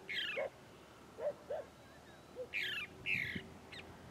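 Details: Chalk-browed mockingbird singing in the sertão of Bahia, Brazil: harsh, raspy, falling squawks spaced about a second apart, mixed with soft, short low notes. Faint background hiss.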